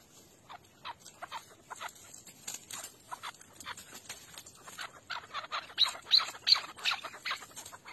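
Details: Chukar partridge, used as a tethered decoy in a partridge hunt in Şırnak, Turkey, gives harsh clucking chuck notes in quick uneven runs, about three a second, growing louder toward the end over a faint hiss.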